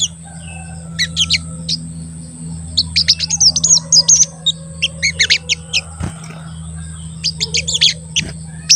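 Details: Crested jay calling as a lure for others, its high 'cuit cuit' chirps arriving in busy irregular clusters. Two brief knocks interrupt the calls, over a low steady hum and a thin high tone.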